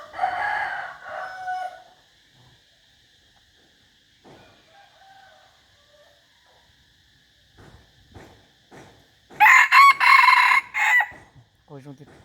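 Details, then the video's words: Chicken crowing: a short harsh crow opens, a long near-silent gap with faint knocks follows, then a loud, strained crow of about two seconds is broken into several pulses near the end. "noob qaib poj qua zoo heev li"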